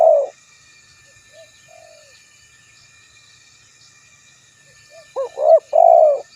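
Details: Spotted dove: the tail of one cooing phrase, a long quiet gap with a couple of faint notes, then a fresh phrase of quick short coos leading into a long, wavering low coo.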